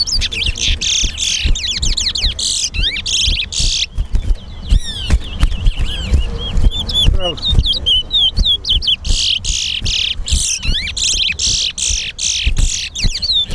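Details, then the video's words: Chestnut-bellied seed finch (towa towa) singing in a head-to-head competition at the Guyana National Stadium. Rapid clear whistled notes and slurred sweeps run almost continuously, mixed with crowd voices and background chatter. "TOWA TOWA BIRD SINGING COMPETITION"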